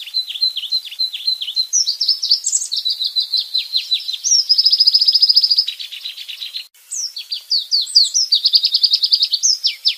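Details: Tembakan-style white-rumped shama song for tutoring cage birds: dense run of quick downward-sweeping notes, a sustained buzzy trill in the middle, then sharp rising and falling whistled phrases, continuous and loud.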